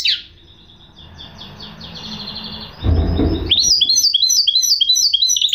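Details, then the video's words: Goldfinch hybrid (mule) warbling quietly, then a short low rumble before the bird breaks into a clear, rapid string of high twittering chirps. "chant mulet de chardonneret"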